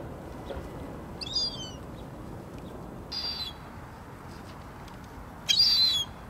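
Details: Western jackdaw (Corvus monedula) at Kanalen, Tønsberg, Norway, in January 2023, giving three short, sharp calls about two seconds apart, the last loudest, over a steady background hiss.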